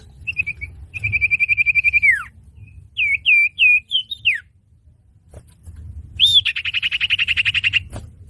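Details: Common iora (cipoh) lure call for trapping: a long pulsed trill ending in a falling slur, then several looping whistled notes, a pause, and an arched note opening a rapid buzzy rattle.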